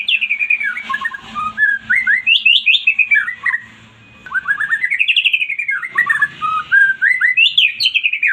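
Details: White-rumped shama pouring out a loud lure song meant to draw a response from a quiet bird, with rapid rolling whistles arching up and down and a single brief break near the middle.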